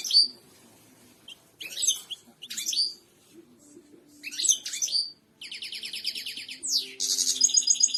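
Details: European goldfinch in strong song, played for training other birds to sing: quick bursts of high, tinkling twitters separated by short pauses, then a rapid buzzy trill and a sweeping slurred note near the end.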